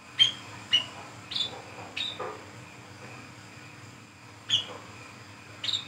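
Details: Brown-throated sunbird singing ngriwik ngeplong at night, used to lure birds: several quick, high down-slurred chirps in a burst, a pause, then a few more, over a faint steady hum.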